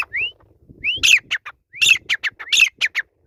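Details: Grey francolin (teetar) calling: short rising whistles followed by loud, harsh, buzzy bursts, repeated in quick phrases with brief low background noise.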